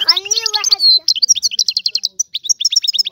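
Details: Free-living Algerian European goldfinch singing. A drawn-out nasal note with stacked overtones opens, then rapid high twittering trills and chirps follow in quick, tinkling bursts without pause.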